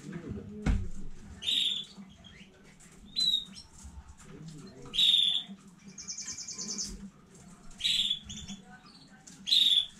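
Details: Domestic canary from a newly bred line, recorded 15 May 2019, giving short sharp high chips roughly every one and a half seconds over a quiet low background hum.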